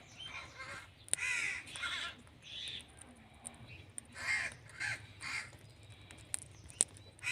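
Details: Indian ringneck parrot giving harsh, raspy screeches in short bursts, about one every three seconds, with quieter chatter between and faint clicks in the background.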